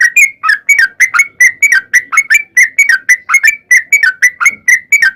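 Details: Sooty-headed bulbul giving a long rapid 'ropel panjang' song, used as a lure to make other bulbuls sing: bright whistled two-part notes, each dipping then rising, repeated almost without pause for five seconds, no other sounds.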